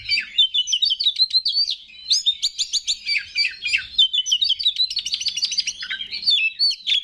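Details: Oriental magpie-robin, an Indonesian kept songbird, singing to push other males into song: a long, rich, unbroken stream of rapid whistled and buzzy notes, many quickly repeated, loud and continuous.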